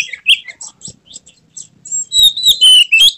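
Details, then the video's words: Excited magpie-robin, tail fanned in an emotional display, delivering its full song: a few bright whistles and sparse chips, then a loud burst of fast, sweeping, warbled phrases. "Kacer mana yang tak mau respons dengar kacer ini | buka ekor bongkar isian penuh gaya emosi"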